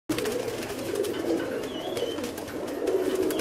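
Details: Fancy pigeons, a flock cooing together indoors: low, throaty coos overlapping continuously with no pauses, plus a few faint higher chirps and some shuffling.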